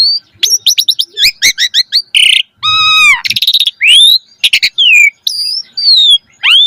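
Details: Energetic Asian pied starling song used as a training lure for other starlings: sharp rapid chirps, a long buzzy rattle, clear descending whistles and rising slurred notes in quick succession over silence.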